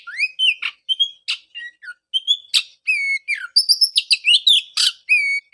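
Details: Oriental magpie-robin song used as a lure to restart singing in a bird silenced after moulting: varied whistled notes sliding up and down, mixed with sharp clicks and harsh bursts, delivered in quick separate phrases.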